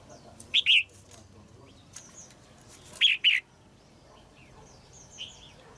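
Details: Caged female red-whiskered bulbul singing to stimulate an adult male: two short phrases of two slurred whistled notes each, about two and a half seconds apart, over quiet background hiss.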